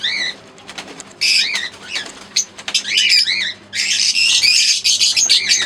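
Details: Shrill, scratchy chirping from Fischer's lovebirds, a green pair and an albino red-eyed pair: loud high squeals and rising-falling squeaks in irregular bursts, with one short lull in the middle.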